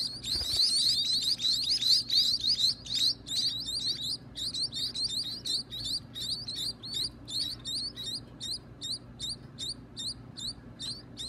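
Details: Baby birds at feeding time, kept by their owner, giving rapid, high, rising chirps, dense and overlapping at first, then settling into a regular series of sharp upswept notes about two or three per second.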